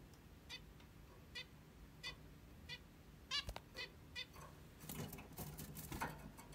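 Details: A plump pet zebra finch in the morning gives short nasal calls roughly every half second, followed by a burst of rustling and scratchy noise.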